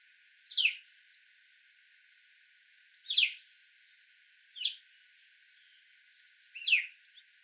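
Alpine chough giving four short, high, sweeping calls at uneven gaps of one to three seconds. The background is quiet.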